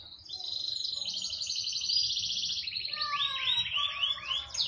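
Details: A male canary, fully trained with a rich repertoire and used as a tutor for young birds, sings long, rapid, rolling high-pitched trills, then shifts into lower, quick repeated swooping notes.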